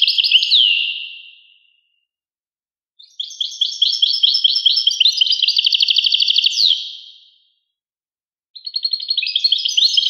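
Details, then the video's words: Lively European goldfinch song: a short twitter, a pause, then a long run of rapid liquid chirps ending in a slurred note, and after another gap a fresh tinkling burst. "carduelis carduelis 💥goldfinch or the European goldfinch in colloquial speech"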